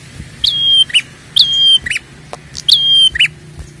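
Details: Prinia, sound used to stimulate calling: three quick phrases about a second apart, each a high note easing into a steady thin whistle, then a short buzzy double chip, over soft low noise.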